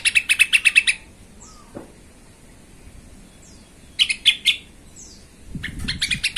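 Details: Sooty-headed bulbul song used as a lure to agitate other bulbuls into singing: quick bursts of five or six bright, bubbly notes, a short pause, then more clipped phrases, with faint chirps in between.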